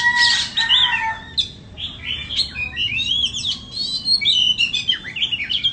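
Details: Caged Oriental magpie-robin of the 'than bông' type, offered for sale, singing a rich varied phrase: loud buzzy notes at the start, then a fast run of sweet whistled slurs and twittering trills, rising and falling throughout.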